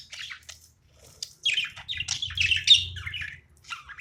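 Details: Pet budgie at play, quieter scratchy chatter and squeaky warbled notes in uneven bursts, over a soft low background hum.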